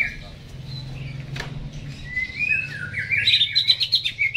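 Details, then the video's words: Caged greater green leafbird before hanging: a quiet start, then a rising, bright warbled phrase building into quick chirped notes with a low background hum. "CUCAK HIJAU GACOR...Sebelum di gantang"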